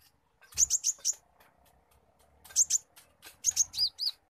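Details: Spotted sunbird (konin trotol) rattling out squirrel-imitation chirps: fast runs of shrill, very high notes in groups of four to six, the last ones dropping slightly in pitch, over a soft background rumble.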